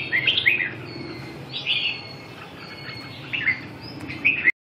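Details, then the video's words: Red-whiskered bulbul giving short bright chirped phrases, each a quick rising-falling whistle, repeated about every one to one and a half seconds over a quiet background. "chim Chào mào"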